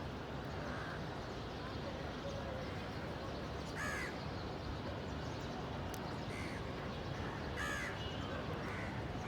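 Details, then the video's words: Crow caws rising out of steady background rumble: a single harsh caw near one second, louder raspy caws at four and about seven and a half seconds, with softer answering caws between. "Crows Cawing Natural Sounds"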